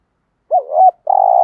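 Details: Cooing of a spotted dove, a soft wavering double note then a sustained, slightly throbbing low coo, ending abruptly with a click.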